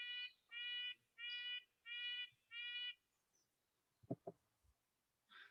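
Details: Red-breasted nuthatch in Montana, a bird of arboreal habitat, giving five repeated nasal, tinny "yank" calls at an even pace, about two per second, then a few soft knocks and a faint later note.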